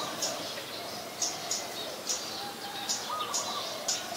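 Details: In Ubon Ratchathani, Thailand, 5 February 2020, a scarlet-backed flowerpecker gives crisp, very high clicking ticks roughly every half second, each brief and piercing, with a low steady hum and a faint tonal note from another bird behind.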